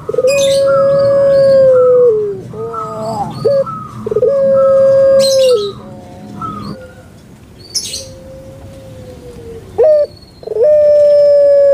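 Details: Captive puter pelung Barbary dove repeats long, flat, drawn-out hoots broken by short choppy notes. Other bird chirps and rustling noises sound in the background. A softer hoot follows near the end.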